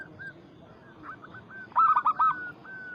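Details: Local Zebra Dove, Bangkok-local cross, singing anggungan-style to provoke a rival: faint scattered coos give way to one short, loud burst of rapid bouncing notes, then a sustained, even tone fading out.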